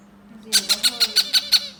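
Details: A hand-fed Yellow-crowned Amazon parrot chick begs with a quick run of seven harsh, rasping pulses, about six a second, over a low steady hum.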